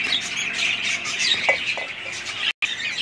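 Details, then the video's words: Budgies chattering in a group, continuous high twittering and squawks, a couple of short lower squeaks, and a brief dropout of all sound near the end. "budgies parrots"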